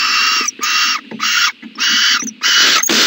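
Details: Loud, rasping hisses from an owl in its nest box, recorded in the morning on 14 January 2020; five long breathy bursts come almost back to back, separated by brief gaps and faint knocking.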